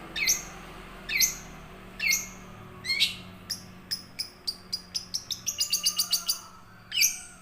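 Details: Young wild long-tailed shrike singing as a lure for caged shrikes; slow downswept harsh notes, then an accelerating series of sharp clicks rising into a rapid trill before another harsh note.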